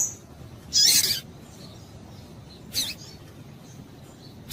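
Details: Female Double-collared seedeater calling to stimulate males: one strong, shrill chip, then a fainter one about two seconds later, and a third at the end.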